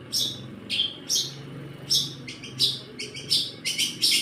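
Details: Long-tailed shrike singing imitated church material, sharp rasping notes delivered singly at first, then in tighter paired and tripled bursts toward the end.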